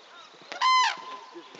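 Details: A red-crowned crane at Tsurui, Hokkaido, gives one loud, brassy, trumpeting note lasting about a third of a second, rich in overtones, over a quiet background.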